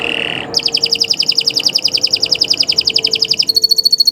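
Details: Canary in morning song, suitable as a master recording: a brief buzzy note, then a long fast rolling trill of evenly repeated chips lasting three seconds, and finally a run of thin high pure notes.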